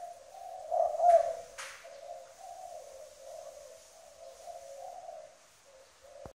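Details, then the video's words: Decoy spotted dove with a firm coo: low hollow coos run on in a rolling series, interrupted early by two sharp knocks. "Mồi cây kèm gù cứng"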